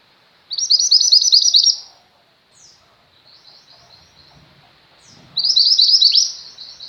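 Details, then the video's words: Female Mountain White-eye in full chattering song, used as tutor audio for pet white-eyes: two loud bursts of rapid, high, slurred twittering about a second long each, separated by softer scattered chips and faint background rustle. "mantenan gunung betina gacor, cocok untuk masteran burung pleci anda."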